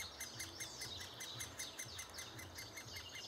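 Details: Great spotted woodpecker adults feeding chicks, June 2011: steady, evenly spaced high ticking pulses, roughly two and a half per second, forming a continuous rhythmic chatter above faint low rumble.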